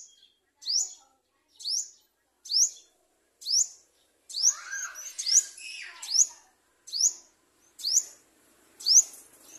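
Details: Sunbird parent (olive-backed, locally garden sunbird) feeding its chick: high, sharp, rising chirps about once a second, with a brief burst of softer mixed twittering partway through.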